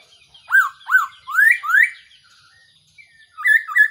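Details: Four loud slurred whistles from a Black-throated laughingthrush, the first two arching downward and the next two sweeping upward, followed by a pair of quick notes; the call serves as a trapping decoy.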